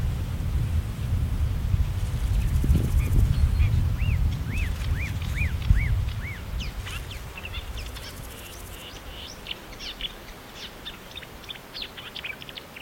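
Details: A marsh warbler, a bird able to imitate other species, repeats a row of arched, slurred whistles, then switches to rapid varied clicks and chirps as a loud low rumble at the start fades away.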